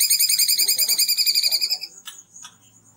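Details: Kunti song used as a master recording for training cucak ijo, kacer and murai: a fast buzzy trill of rapid pulses lasting about two seconds, followed by a few faint, sharp chirps.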